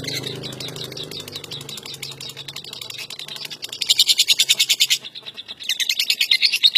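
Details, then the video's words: Ngekek from a national champion lovebird, its long-lasting trill a fast stream of high chattering pulses that swells into two loud bursts near the end. "INI DIA LOVE BIRD CEREWET NGEKEK DURASI PANJANG SANG JAWARA NASIONAL"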